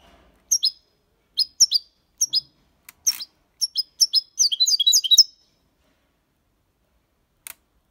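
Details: Young European goldfinch, six months old, in clean Malaga copy style song: separate high chirps spaced about a second apart, quickening into a dense, liquid twittering run, then silence with one faint click.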